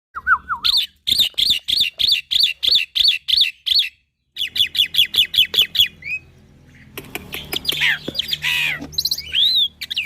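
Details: Young black-winged myna singing a full-content tutor song used to train other mynas: a low wavering whistle, then about ten rhythmic high chirps, a pause, a second rapid chirp series and a burst of harsh varied notes with upslurred whistles.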